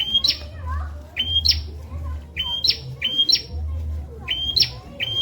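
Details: Prenjak, or bar-winged prinia, singing a training song meant for murai and ijo birds to copy: bright upslurred whistles snapping into a high rasp, in quick irregular bursts, with a low droning background.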